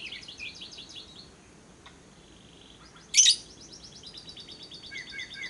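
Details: Lovebird ngekek trill used as a lure for singing lovebirds: fast, high, buzzy note series, a pause with a sharp click, then the rapid chatter resumes and runs to the end.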